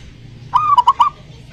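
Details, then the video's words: Zebra dove singing, used to prompt a silent dove: one short phrase opening with a long wavering coo and ending in three rapid, evenly spaced clipped notes, against soft low hum. "pancingan perkutut malas bunyi"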